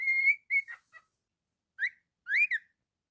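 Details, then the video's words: Cockatiel at home giving a held whistle and a few quick chirps, then a pause and two upswept whistled calls. "A super talented cockatiel"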